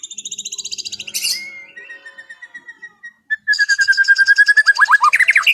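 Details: Afternoon 'ngeplong' song of a white-rumped shama, relaxed in delivery: fast high pulsed trill, a long steady whistle fading away, then a rapid rolling trill with a few bright rising notes.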